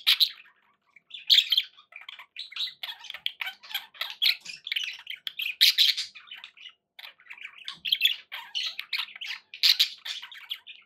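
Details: Pet budgerigars in continuous chatter: busy, harsh warbling with clicks and chirps running nearly without a break, a few louder squawks standing out.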